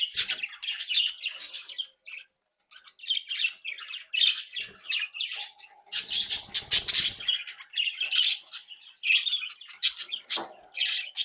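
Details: Lively flock of home-bred budgerigars playing and interacting: long stretch of dense overlapping warbles, squawks and clicks, growing busier midway, with faint rustling.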